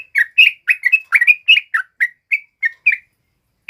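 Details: Yellow-vented bulbul (trucuk kebo) sings a tumbling run of short liquid, bubbly whistled notes, about a dozen in under four seconds, slowing toward the end.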